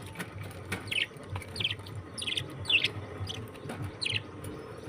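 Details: Budgerigars giving short, high chirps, about six spaced irregularly over five seconds, over a steady low hum.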